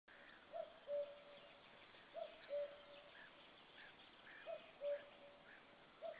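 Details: Common cuckoo calling on 4 May 2013, with a white-tailed eagle listening nearby: distant, soft two-note falling "cu-coo" repeated about every two seconds, with faint chirps of other birds in the background.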